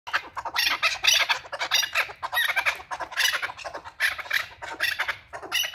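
A male chukar gives harsh, grating chuck notes in rapid bursts, several clusters every second, loud and scratchy with no other sounds.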